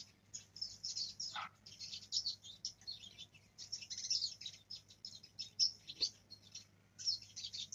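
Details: A young black-throated canary learning to roll: rapid runs of high chattering, scratchy notes in irregular bursts, roughly forty per minute, with a steady background hum.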